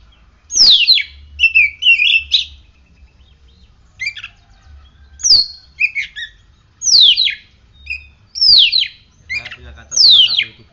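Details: Oriental magpie-robin kept in a cage, in strong voice after morning sunning and morning dew, repeats sharp high downslurred whistles mixed with short warbled twitters, phrases coming every second or two with brief pauses.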